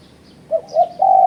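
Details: Spotted dove call used as a lure against rivals: two brief low coos followed by a sustained, steady coo, with a faint high bird chirp above.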